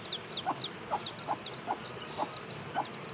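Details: A brooding hen clucks softly and rhythmically, seven low clucks roughly every half second, as her baby chicks chirp in shrill, downward-sliding peeps above her.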